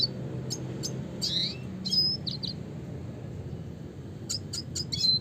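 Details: Red siskin (Spinus cucullatus) with high chip notes, a brief rising twitter and a short thin whistle, then a rapid cluster of sharp chips at the close, over low hum.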